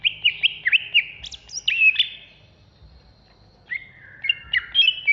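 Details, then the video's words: Banyuwangi greater green leafbird in furious ngentrok song: a fast string of clipped, bouncing whistles, a couple of higher squeaks, a second's silence, then renewed chattering phrases with sharp high notes. "Cucak Hijau Banyuwangi Ngentrok Ngamuk"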